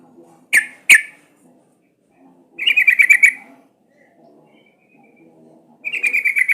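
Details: Sooty-headed bulbul lure sound, played to prompt bulbuls to sing. Two sharp, clipped notes open, then after a pause a fast, bright chattering trill of about ten notes, with a second trill starting near the end.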